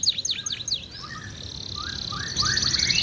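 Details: Canary singing with a lively, elaborate delivery: rapid descending chirps open, then a sustained buzzy trill runs underneath scattered rising whistled notes, ending in a bright, fast rattling trill.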